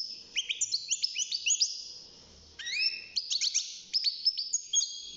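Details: European goldfinch, six months old and kept in a cage, beginning to sing: quick runs of high twittering notes, a short pause, then more bright liquid slurs and chips.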